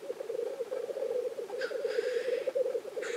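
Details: Black grouse on their lek in Innvik, 2014: unbroken low bubbling, pulsed cooing with a harsh hiss lasting about a second and another starting at the end.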